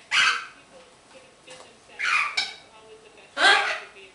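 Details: Pet green-winged macaw, described as a happy bird, making noises and chatter: three raspy, voice-like squawks spaced about a second and a half apart, with soft murmured notes between them.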